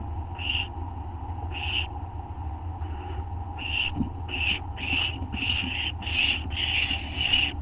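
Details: Begging barn owl owlets, well fed by both parents, at dawn on 15 August 2011; harsh, hissing snore-like bursts start sparse and then come faster, about twice a second, over a steady low hum.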